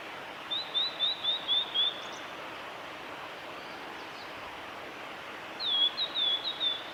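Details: Blue-and-white flycatcher male in spring song at Lake Miyagase's Kanazawa forest road, Japan, on 25 April 2016; two bursts of five or six high rising whistles separated by nearly four seconds of quiet hiss, faint chips between.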